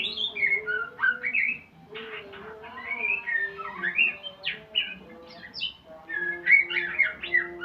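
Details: White-rumped shama in training, learning sounds: a rapid medley of chattering trills, rising and falling whistles and clipped notes that changes pitch constantly, over faint steady low humming.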